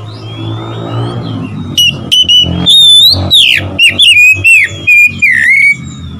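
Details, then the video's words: Oriental magpie-robin singing to provoke rivals: a thin whistled note, then loud varied phrases of rising and falling whistles and sharp chips, over a steady low hum. "memancing emosi Kacer lawan"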